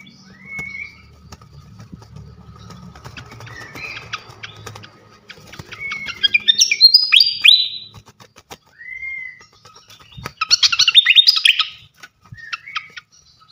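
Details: Fantail flycatcher, a champion songbird, with short slurred whistles, a rising run of sweet notes, then a dense burst of high twittering; a faint low hum underneath.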